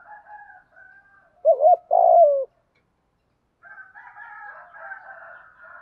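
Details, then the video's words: Single deep coo phrase of a spotted dove, from male and female birds calling in thổ pha voice with gù thúc for training other doves: a short wavering note then a long falling coo, surrounded by softer higher tonal chatter. "cu gáy giọng thổ pha gù thúc Kèm gáy gọi nhiều"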